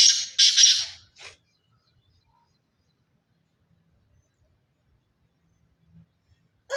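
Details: Sindhi chirki black francolin, pure Sindhi stock, opens with three rasping, buzzy notes in fast succession. Near silence follows, then a single loud note cut off at the end.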